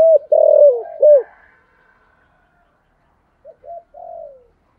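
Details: The tail of a loud Thổ-voice coo phrase from a spotted dove used as a lure for wild doves. It gives way to silence, then three quiet introductory notes ending in a soft, sliding coo.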